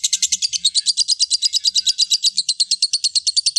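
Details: Lovebird giving a long ngekek trill, played as therapy to prompt other lovebirds to sing: a rapid, even series of harsh chattering pulses, about eight per second, sustained without pause throughout, with faint low knocks beneath.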